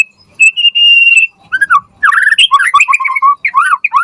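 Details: Murai batu, the white-rumped shama, in lively song used as a lure and tutor for other shamas: one long steady whistle, then a quick jumble of warbled, slurred notes at lower pitch.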